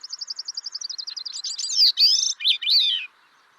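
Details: North American thrush singing a quick run of about fifteen high, even notes, then bursting into louder, varied slurred and warbled phrases that rise and fall.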